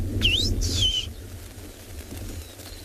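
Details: Rufous-naped Lark calling in the bush on an afternoon game drive, 3 November 2020, South Africa, near resting lions; two clear, high whistles, first rising, second sliding down, over a low engine-like rumble.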